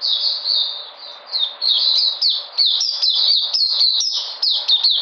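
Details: White-eye regaining energy, 13 February 2020, giving a rapid high warble that starts smoothly and breaks into quick, clipped downward-slurred chirps.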